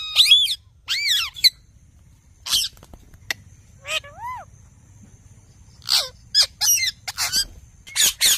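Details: Indian ringneck parakeet giving sharp, shrill screeches in short separate bursts, some with steeply falling whistled slurs, spaced irregularly with low hum between them.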